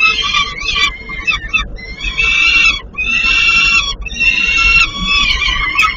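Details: Nestling peregrine falcons in Płock, Poland, begging while being fed: rapid, choppy runs of raspy, rich screeches, some short and stuttering, others drawn out for a second, with low background rumble.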